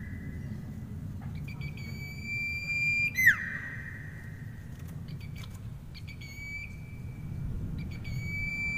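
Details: Grincingan song of a common iora: a clear, level whistle held about three seconds, dropping in a steep falling sweep, followed by brief clipped notes and another long, even whistle, over constant low-pitched background noise.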